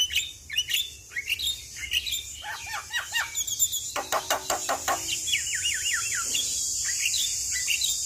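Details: Javan myna in chatty song, used to coax a stressed bird: rapid chipping notes, a dense run of clicks, then a looping whistled warble repeated several times, over a steady high hiss.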